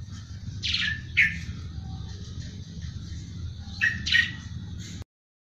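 Eurasian tree sparrow giving two short bursts of harsh, buzzy chirps about three seconds apart, over a steady low rumble of background noise.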